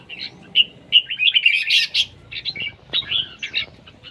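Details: Competition singing of a red-whiskered bulbul in siêng ché style: rapid, high, chattering warbles and bright whistled notes crowd together, swelling into a dense burst in the middle, then break into shorter clipped phrases.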